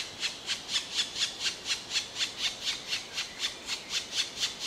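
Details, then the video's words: Black woodpecker giving a steady series of harsh, ringing, high-pitched notes, roughly two each second, evenly spaced, with a faint background hiss and no other clear sounds. "Zwarte Specht Black Woodpecker"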